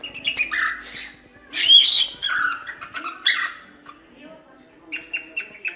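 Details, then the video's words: Cockatiel chatter, recorded for teaching other cockatiels to sing: a busy jumble of short chirps and squeaky notes, then a final run of rapid, evenly spaced high chips. "Cantos e Assobios Para Calopsitas 🐦 Ensinar Calopsita Cantar"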